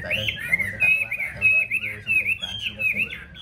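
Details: Yellow-billed Chinese hwamei, caged and raised at home, sings a quick string of bright, twisting whistles. The phrases dip and rise in a continuous flowing pattern over a faint low hum.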